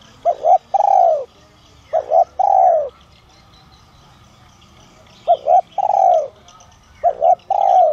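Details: Spotted dove (cu gáy) with the 'giọng son' voice type, cooing to draw in wild doves as a decoy. Four repeated phrases, each a short double coo then a drawn-out falling coo, with quiet gaps between and faint distant bird chirps.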